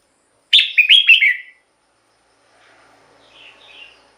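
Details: Red-whiskered bulbul song used to rouse or attract birds. One loud, quick, bubbly phrase slurs downward, then a faint, low, murmuring background with soft distant whistles.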